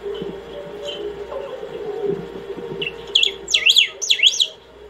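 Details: Saffron finch in extended nonstop singing meant to call or train: after a quiet stretch with faint background noise, a short note leads into two rapid zigzag whistled phrases sweeping sharply up and down.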